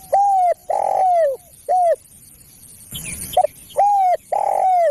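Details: Spotted dove coos used for luring other doves: a short coo, a long falling coo and another short coo, a pause with brief noise, then the phrase starts again.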